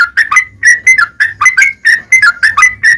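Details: Yellow-vented bulbul song played to provoke other bulbuls into singing: a fast run of rich, gurgling whistled notes, each a rising-then-falling slur, delivered in quick, irregular succession.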